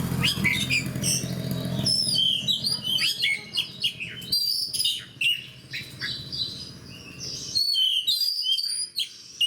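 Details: Fighter-type oriental magpie-robin singing 'gacor' with other fighters nearby: dense, irregular stream of sharp chirps and whistled slurs, brief gaps between bursts, a low hum early and a softer spell near the end.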